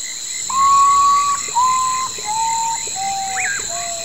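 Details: Common potoo (urutau) song: a mournful series of long, steady whistles, each stepping lower than the last, about four notes in as many seconds. Short rising, hooked calls from other creatures and a constant high insect drone sound behind it.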